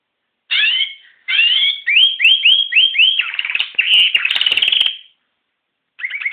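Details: Canary singing a bright, fast phrase: sharp whistled notes, then a quick run of rising slurred notes, then a rolling buzzy trill. After a brief silence, a new phrase starts.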